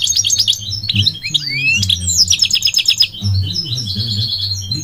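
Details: Migratory goldfinch singing a lively, varied song of high tinkling notes, quick twittered phrases and sliding whistles, ending in a buzzy sustained trill, over a steady low hum.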